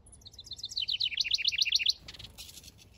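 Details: Backyard house wren, a male busy with nest building, delivers a tumbling, descending burst of squeaky notes that runs into a rapid series of paired chirps, followed by a brief scratchy rustle.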